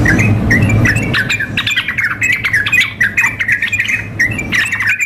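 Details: Female sooty-headed bulbul calling a male, mixed with a loudly singing bird for contest practice; irregular chattering and sliding whistled notes, several every second, over a low steady hum.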